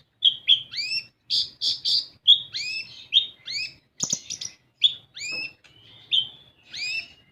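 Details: Olive-backed sunbird singing in a lure recording meant to prompt untrained sunbirds to sing: rapid bursts of high, sharp chirps mixed with upswept rising whistles and a brief buzzy trill, in short phrases with small gaps.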